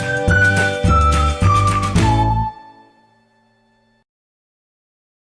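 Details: A brief musical jingle of four descending tones over a deep bass chord, ringing out and fading to silence.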